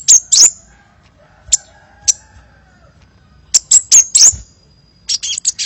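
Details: Kolibri lure call from a vigorously singing bird: high, sharp chirps in quick clusters at the start, two lone notes, then a rapid run of chips and a twittering close.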